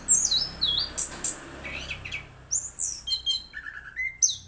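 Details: Orange-headed thrush, a lively singing bird, giving a sweet song: scattered high whistled phrases and short buzzy notes, some falling, separated by pauses, over a faint low hum.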